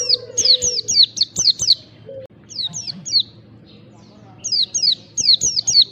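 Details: White-eye (pleci) lure to make caged white-eyes start singing: short clusters of thin, high, falling chirps separated by quiet gaps, with a low steady background hum throughout.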